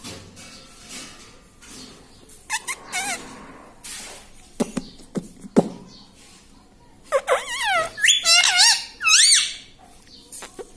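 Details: Pet parrot known for talking, reportedly saying "mummy", starts with scattered taps and thumps amid room noise, then produces several quick zigzagging, buzzy voiced phrases near the end.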